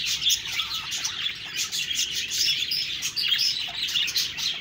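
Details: Budgie flock twittering: rapid high chirps, short whistled notes and scratchy chatter running without pause.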